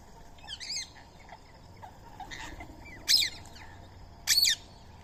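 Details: Indian ringneck parrot feeding on soaked rice and corn beside a squirrel; a hoarse, slurred call followed by two loud, rasping screeches spaced about a second apart, with faint background chirps.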